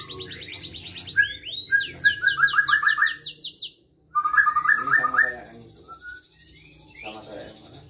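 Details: Local canary singing hard: a high buzzy trill, then strings of downward-swept notes and quick chattering phrases, a short silence, and a long steady high trill.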